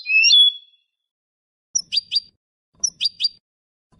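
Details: European goldfinch Malaga-style song for young birds to memorise: a sliding whistled note, then short paired high chirps in brief bursts separated by silent pauses.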